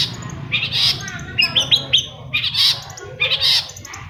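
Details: Long-tailed shrike song played to prompt quiet caged shrikes to sing: harsh squawky bursts alternating with short rising whistled notes, over a low steady hum.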